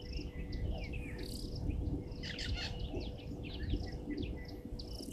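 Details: European bee-eaters at Gowrie dam waterhole, Djuma Game Reserve, Sabi Sand Wildtuin, South Africa, at 17:00 on 15 January 2023, recorded by a live camera: many overlapping rolling, trilled chirps over a steady low rumble and insect hum.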